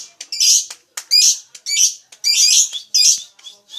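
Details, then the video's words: Loud, shrill lovebird squawks in separate bursts about once per second, each a harsh, buzzy chatter high in pitch. "Suara burung lovebrid"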